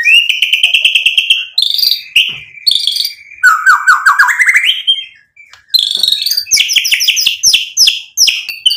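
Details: White-rumped shama singing a vigorous, varied song meant to provoke other shamas into singing: clear whistled notes, a long low rippling phrase, then rapid bright chirped trills and sharp high notes, with brief pauses between phrases.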